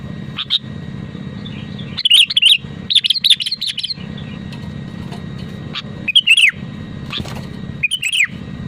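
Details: Sooty-headed bulbul singing eagerly in its own voice, to encourage other bulbuls to sing: a single note, then dense runs of bubbly, fluting whistles, quiet gaps and further short twisting phrases, with continuous low background noise.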